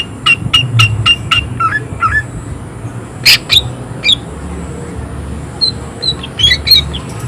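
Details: Greater green leafbird singing excitedly with harsh bursts: a fast series of repeated sharp chips, a loud broad rasping note, then scattered thin whistles, with a steady high ringing tone and low rumbling noise underneath.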